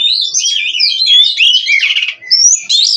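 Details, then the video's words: Short burst from a captive-bred Oriental magpie-robin: fluid whistled slides and warbles running together, a harsh scratchy note midway, then clear rising whistles. "GACOR NONSTOP!! Rahasia Kacer Bikin Semua Kaget!"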